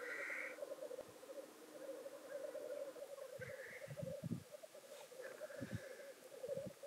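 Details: Black grouse performing at their traditional lek near Llandegla Forest and World's End, North Wales, 25 February 2019: continuous low bubbling rookoo chorus, broken by harsh rising hissed sneezes at the start, near three seconds and near five seconds.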